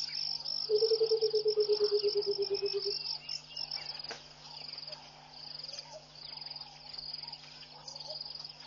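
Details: Burchell's coucal singing in the early morning at Pete's Pond, Mashatu Game Reserve, Botswana, on 21 January 2014: a bubbling run of about twenty hollow, low notes slowly falling in pitch, with a steady high insect trill; Egyptian geese and hadeda ibis also present.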